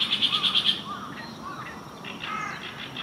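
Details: Oriental reed warbler song on the morning of June 9, 2023: a quick run of six or seven loud, high, evenly spaced notes, followed by softer lower notes and distant bird calls.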